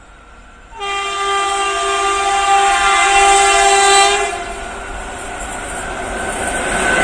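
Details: At a village railway station, a train horn sounds a long, loud, steady blast for about three seconds, followed by rumbling rail noise, with no animal calls.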